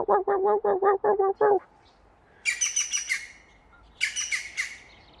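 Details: European green woodpecker (yaffle) giving its laughing call, a quick run of about seven even, ringing notes, then higher chirping from another bird; from a sound archive, inserted into an early-summer evening at a lake.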